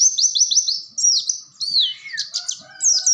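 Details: Oriental white-eye singing in a lively rolling, bursting style (ngerol nembak): a run of quick high buzzy down-slurred notes, then varied sharp twittering phrases with a few lower whistled tones underneath.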